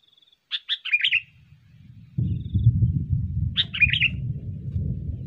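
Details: Sooty-headed bulbul lure recording: two short bubbly phrases of quick descending notes, then a steady low rumbling noise in the background.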